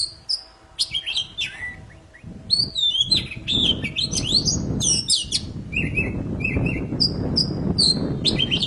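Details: Poci song, super gacor, used to stir silent poci into singing again: a dense run of sharp, high whistled notes and quick chirping phrases, some rising and falling, over a low background rumble.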